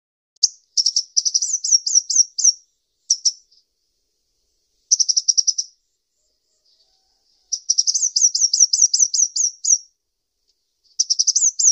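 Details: Sunbird, known locally as kolibri ninja, giving very high, thin chirps in rapid trills with rising flicked notes, in separate bursts of one to two seconds, with silence between.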